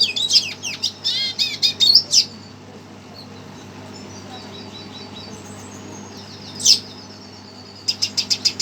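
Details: Agitated red siskin reacting to a played recording: bursts of sharp high chirps and warbled notes separated by a long quiet pause, then a short series of rapid repeated clicks.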